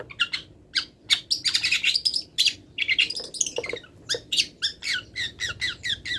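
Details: Long-tailed shrike in moult singing a song packed with mimicked wild birdsong: dense, varied chatter and fast trills with a slight background hiss.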